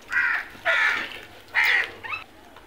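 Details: Crows searching for food, giving three harsh, drawn-out caws about a second apart, then a shorter rising call, against a quiet background.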